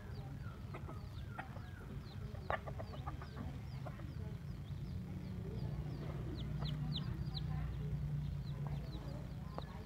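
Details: Hen with her lively brood of chicks, filmed on the road into an elementary school in Vietnam: many short high rising chick peeps scattered throughout over low clucks, with steady low-pitched traffic or engine hum beneath.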